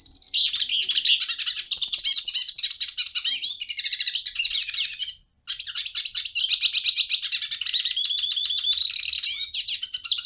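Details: European goldfinch, Portuguese, pouring out a long, busy song of tinkling twitters and buzzy trills. A brief pause comes midway, then the same energetic chattering continues.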